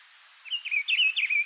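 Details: Free-living rufous-browed peppershrike in the wild delivering part of its song, a run of loud, looping whistled notes that rise and drop, with a constant high-pitched insect hum in the background.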